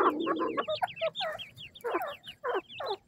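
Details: Grey francolin (dakhni teetar) chicks feeding in captivity, calling with rapid high, thin, downward-slurred peeps, mixed with lower, harsher chattering bursts in quick runs throughout.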